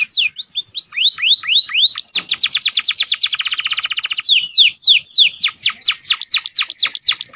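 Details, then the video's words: Canary singing a master combination full of Prenjak and Ciblek fill-ins: looping upslurred whistles give way to a dense, buzzy rapid trill, then loud falling and rising sweeps repeated several times a second. "AUDIO MASTER KOMBINASI BURUNG KENARI FULL ISIAN PERENJAK & CIBLEK KRISTAL CENGKOK MEWAH"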